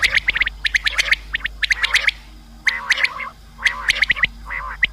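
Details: Common quail, a sound for hunting: rapid bursts of sharp, clicky high notes in tight clusters, some mixed with a lower wavering squawk, coming in irregular series with short pauses.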